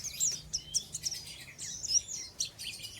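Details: Ngeriwik-style singing from an untrained oriental white-eye: quick bursts of very high, sharp tweets and short slurred twitters, tumbling together without pause.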